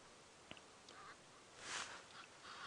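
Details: Egyptian geese from the airstrip, flying past on a sunrise safari drive at Djuma Game Reserve at 6:38 AM on 18 January 2017, give a few faint, hoarse honking calls in passing, with a single sharp click early on.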